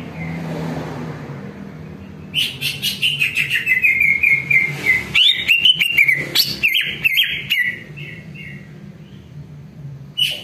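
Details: Greater green leafbird song used as a lure for training, to make other leafbirds answer and sing along. A quiet start gives way to a long, rich warbling sequence of slurred whistles with chattering accents, which tapers off near the end.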